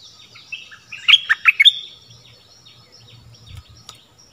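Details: Brief Stripe-throated bulbul phrase, a song used for teaching young birds and luring wild birds: a quick cluster of bright, jumping notes ending in a held whistle, with soft bird twitters and low rumble behind.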